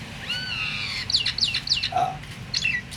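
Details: Myna calling, a sound said to make other mynas start singing: a long, smooth, slightly falling whistle with clear overtones, then a rapid run of bright chirps, one lower buzzy note and a final short slurred whistle.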